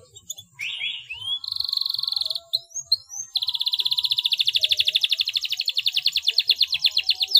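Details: Canary song played to stimulate silent canaries: rising whistles, a sustained buzzy rolling note, short upslurs, then a long rapid trill of evenly repeated notes.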